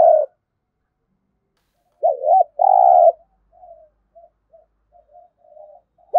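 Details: Single thúc gù phrase from a spotted dove used in decoy training: a wavering low note then a sustained hum, followed by faint scattered soft murmurs.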